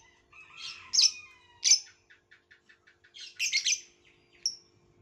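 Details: Violet lovebird making sharp, high, scratchy chirps, with a quick run of soft ticking notes between the louder calls.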